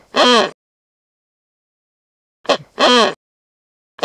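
Wreathed hornbill giving loud, hoarse, barking calls: a half-second bark, then a short clipped note followed by a longer bark, with silence between.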